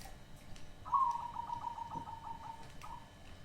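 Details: Hybrid zebra dove giving its unusual voice: a brief higher opening note followed by a quick trilled run of soft low coos that slowly fades, one extra coo after a pause.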